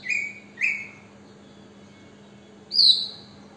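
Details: An Oriental magpie-robin on a balcony gives two quick, clear whistled notes, pauses, then a higher, sweeter falling whistle, over a faint low hum.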